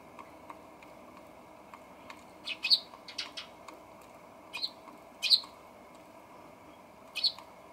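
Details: Eurasian tree sparrows at a balcony feeder, 28 October 2020, recorded with an RX100M5A camera: short bright chirps come singly and in small clusters at irregular intervals over a low steady background hum.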